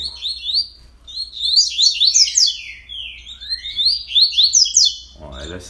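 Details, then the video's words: Fast coleiro song recorded 31 October at 06:30 in the morning, long tumbling runs of high sliding chirps, followed at the end by a man speaking. "Coleiro 30 cantos aborto da natureza"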